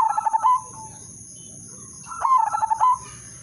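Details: Perkutut (zebra dove) lure song in melodious rhythm, played to draw other doves into singing. A quick series of clipped coos opens and closes, then a second phrase of rhythmic rolled notes follows after a pause, over a steady electrical whine.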